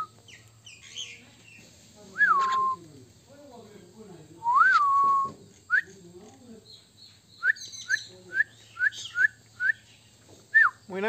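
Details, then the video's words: Pet common myna from India, heard indoors: two drawn-out whistles that rise then slide down and hold, followed by a quick run of short upward chirps, with a human voice and a steady low hum underneath. "Indian🇮🇳 common Myna bird"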